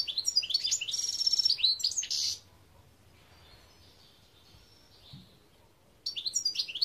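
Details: European goldfinch, 2021: lively twittering song with a sustained buzzy trill and sharp chirps for over two seconds, then near silence until another burst of twitters begins at the end.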